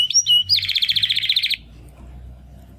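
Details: Young Timbrado canary male from the second breeding of 2020, one of two brothers making first song attempts after first molt; two short whistled notes, then a dense buzzy trill near one second long, then quiet.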